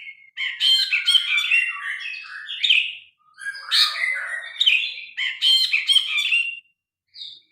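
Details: Grey-cheeked bulbul in full loud song, phone-recorded with natural sound as tutor material for pet birds: long varied phrases of rich, slurred, bubbling notes, pausing briefly after three seconds, then resuming and ending with a brief note.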